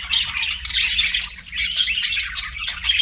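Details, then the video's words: Budgerigar chirping in a continuous busy stream of scratchy, warbling notes and high squeaky whistles, with no pauses between phrases. "BUDGIE CHIRPING SOUNDS"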